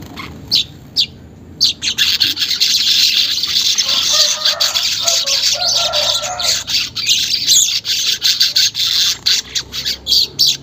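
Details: Weaver song played as an unedited lure to get caged weavers singing quickly: a dense, sizzling high-pitched chatter of rapid buzzy notes, with short gaps in the last seconds.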